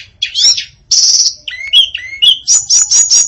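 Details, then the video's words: Varied song of a female hill blue flycatcher (tledekan): high buzzy trills, sliding whistled notes at mid pitch, then a run of quick high chirps. "Kicau Memukau Tledekan Betina Yang Bersuara Variatif"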